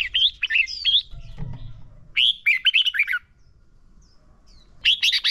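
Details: Red-whiskered bulbul kept in a cage, song used to train other caged birds: short warbled phrases of looping whistled notes, a soft low thump between them, then a quiet gap before another bright burst.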